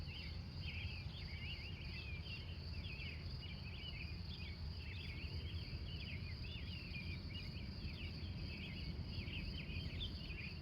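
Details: Wild birds singing at dawn in Glendive, Montana, USA, recorded live from 3:45 a.m.: busy, overlapping warbled and twittering phrases run continuously over a steady high insect hum and a low rumbling background.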